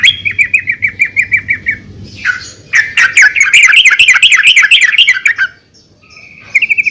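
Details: Female yellow-vented bulbul calling other bulbuls: a quick row of even chirps, then a dense, rapid chattering burst of bright notes, a pause, and a brief closing chirp.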